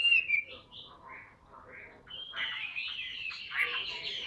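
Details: Tame caged Chinese hwamei giving a few soft, spaced whistled notes before breaking into a fuller, dense warbling phrase over faint background hiss.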